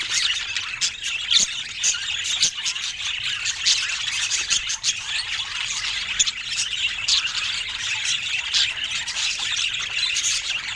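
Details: Rare budgerigars of lesser-known colour mutations, filmed in natural Scandinavian light: dense, continuous high chattering and warbling with sharp chirps and squawks overlapping throughout, several birds calling at once, with no music or speech.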